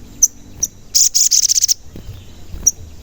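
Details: Sogon used as a lure to spur captive and wild sogon into singing: sharp high 'cuit' chirps, then a loud, rapid, high-pitched pulsed trill lasting under a second, followed by another single chirp.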